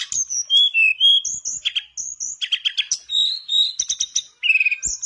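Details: Mangrove blue flycatcher singing continuously, used to spark song in a silent bird: sweet high whistles alternating with rapid chattering chips and warbled slurs in a steady, unbroken stream.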